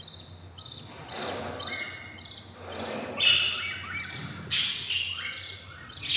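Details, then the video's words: Four albino lovebird chicks, fifteen days old and very hungry, make scratchy, hissing squawks in separate bursts of about half a second. Soft thumps and a low indoor hum sit beneath them. "hatching 04 albino lovebirds eggs and they are very hungry"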